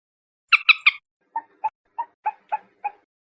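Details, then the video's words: A raspy three-note burst, then six mellow, evenly spaced clucking kek notes from a common moorhen. The calls are clean, with no other sound. "SUARA BURUNG MANDAR/PELAN/MANDAR BATU/MOORHEN/GALLINULA CHLOROPUS"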